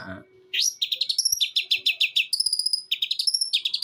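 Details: Long-tailed shrike aged eight months, Jember, East Java, imitating sparrow, kuntilanak and tengkek buto: varied sharp high notes, upswept whistles and clipped chips alternating in quick succession.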